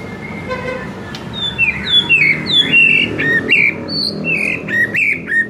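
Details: White-rumped shama training recording meant to make a shama respond at once: a soft low whistled opening, then a lively run of sharp down-slurred and hooked whistles, some high, repeated about every half second.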